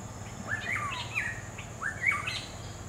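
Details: Black-hooded oriole, Oriolus xanthornus, in the wild: two rich, liquid whistled phrases, each sliding up then dropping, about a second apart, over a constant high insect drone.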